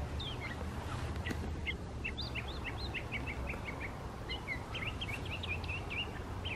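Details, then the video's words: A mockingbird singing in a park gives a run of quick, varied chirps and short sliding notes, about four to five a second, possibly mimicking an Eastern Towhee and a chickadee, over a steady low rumble of distant traffic. "Mockingbird Sings a Song"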